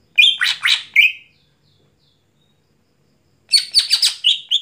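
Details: Greater green leafbird (cucak hijau) singing at night: a clear whistle, two harsh buzzy notes and another whistle, then after a silence a dense, fast jumble of chattering and squeaky notes.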